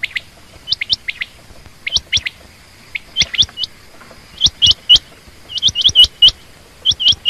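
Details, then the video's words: Female quail, named as common or rain quail, giving sharp upswept chirps in quick pairs and triplets, grouped irregularly over seven seconds against a quiet background. "common quail/Rain quail sound)chinga batair ki Awaz)Звук самки перепела"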